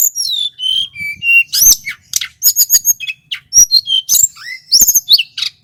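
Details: Sunda whistling thrush, a local male from Merapi, used as a training and lure recording: clear falling whistles followed by rapid bursts of high chips and slurred notes in a long, varied sequence.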